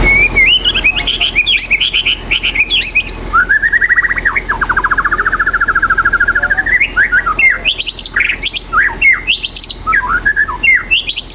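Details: White-rumped shama singing loudly and varied: quick whistled phrases, then a long rapid trilled stretch that rises and falls slightly, followed by sharp mixed chirps and whistles, with no other clear sounds.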